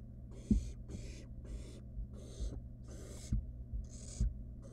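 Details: Wild barn owl nestling, monitored in a nest box, playing with delivered food: regular rasping hiss bursts about every half second, with occasional bumps and clicks beneath a steady hum.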